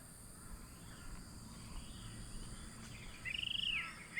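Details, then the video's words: A Varied Triller at Hinterland Regional Park, Mudgeeraba, Gold Coast, Australia, gives one quick, rolling trill that rises and falls, near the end of a stretch of low rumble and background hiss. "That bird you can hear calling is the Varied Triller."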